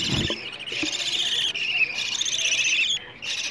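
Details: Budgerigar nestlings asking to be fed, used to stimulate breeding in budgies: steady harsh buzzing chatter with a brief low thump at the start and a short break near the end.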